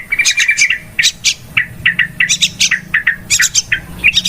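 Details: Yellow-vented bulbul noisy calls used as a lure when trapping birds: short, chirpy notes around a bright pitch, some with sharp upward flicks, given in quick clusters and spaced bursts through the recording.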